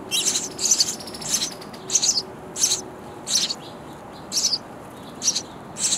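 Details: Hungry baby sparrows in a nest box calling to be fed by busy parents; shrill, high chirping bursts in quick irregular series, with a faint thin whistle between them.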